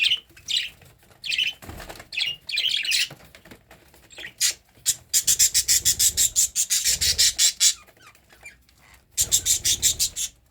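A cockatiel sings in bright, high chirps that run into quick, evenly pulsed chattering bursts.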